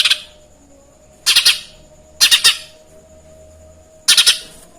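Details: Lesser green leafbird delivering Eurasian tree sparrow material: three clipped bursts of two or three harsh, rasping chirps, each separated by roughly a second of near silence with a low hum.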